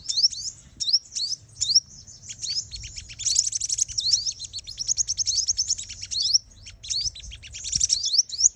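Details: Lure call of a female sunbird, played to excite males into fighting for trapping; dense high chirping, quick upslurred notes in bursts with brief pauses, continuous and sharp throughout.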